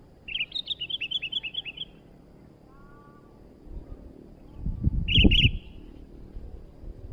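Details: Lively new sooty-headed bulbul delivers a rapid rhythmic string of about ten short bright whistled notes, pauses during a low thumping knock, then adds two more sharp notes.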